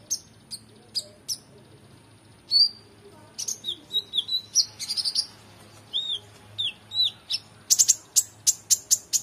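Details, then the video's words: Oriental magpie-robin in full varied song used for training contest birds: spaced high chirps lead into a rich tumbling sequence of short warbled and slurred whistles, followed by an evenly repeated string of sharp high notes. "KONIN GACOR EMOSI FULL BONGKAR ISIAN MEWAH‼️Cocok Untuk Masteran Burung Lomba"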